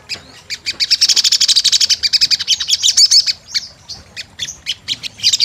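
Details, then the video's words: Sunbird calls used as a lure recording for a vocal bird: rapid, high, thin chirps and trills repeated in quick bursts, with brief pauses and a few sharper notes toward the end. "Pancingan SOGON GACOR"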